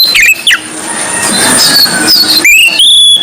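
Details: A captive Indonesian white-breasted Oriental magpie-robin (kacer poci) sings vigorously in loud, clear whistles: quick slurred notes, then long rising and falling sweeps, high-pitched and varied, with a faint background hiss.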